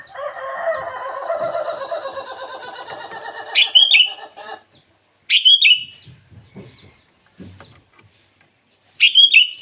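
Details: Sooty-headed bulbul singing at dawn-time to call rivals: a dense, lower chattering bird chorus fades, then three separate bright, liquid whistled phrases ring out a few seconds apart.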